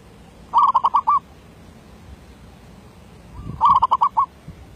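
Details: Zebra dove kept as a decoy bird, singing in the derak labuh style: two bursts of fast, rolling cooing notes, each about half a second long and a few seconds apart, over a quiet background.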